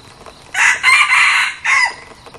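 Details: Red junglefowl decoy bird crowing loudly: a choppy three-part harsh phrase, then a separate short note bending downward at the end, over faint background hiss.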